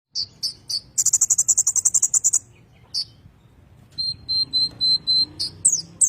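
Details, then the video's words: Kolibri ninja song in the rolling ngerol style, used as master song for training magpie-robins: sharp high chips, then a fast even buzzy trill of about a dozen notes, later a thin steady whistled tone pulsed in short bursts. "kolibri ninja ngerol cocok buat masteran burung murai batu"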